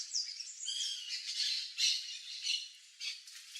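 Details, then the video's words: White woodpecker (Melanerpes candidus), Brazilian cerrado species visiting farm yards for ripe fruit, giving harsh, chattering squawks in uneven bursts, high and scratchy, with a brief rising note near the start. "PICA-PAU-BRANCO (MELANERPES CANDIDUS), WHITE WOODPECKER, CRI-CRI, BIRRO"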